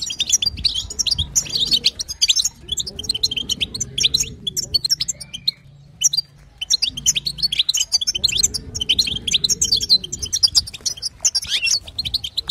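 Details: Female European goldfinch chatter played to get a caged male to sing: dense, rapid, high twittering and tinkling chirps run almost continuously, with a low, rounded droning sound underneath at times.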